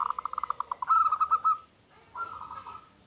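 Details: Zebra dove, a local bird with a big voice, used as a lure: a quick ticking run of pulsed notes flows into a smooth trilled coo, followed by a softer repeat over a faint background hiss.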